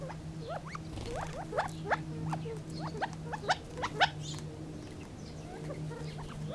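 Gambel's quail giving a scatter of short, sharply rising chips and squeaks, about two a second at an uneven pace, over a steady low hum.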